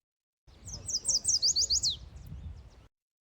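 Yellow Warbler song: a quick, bright run of about eight high, sweet slurred notes, speeding up and ending in a downward flourish, over a faint low rumble.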